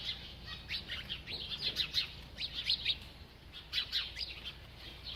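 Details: High, thin chirps from a bird as it eats, delivered in irregular clusters of short notes with a few quieter gaps, over a soft steady low background hum.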